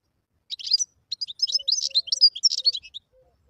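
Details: Wild European goldfinch in continuous twittering song, a dense jumble of high chirps, slurs and short buzzy notes for about two and a half seconds. A faint low hum sounds briefly beneath.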